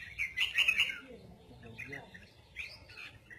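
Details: Short excerpt of a red-whiskered bulbul's giọng kép, or double-voiced song: an opening run of loud, bright chirped whistles, then softer scattered notes. Faint talking lies behind it.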